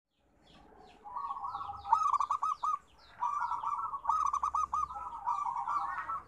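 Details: Zebra dove, local perkutut type, sings two long rolling phrases of rapid staccato coo notes, each note dipping slightly, the second phrase running almost three seconds, loud and close against a quiet background.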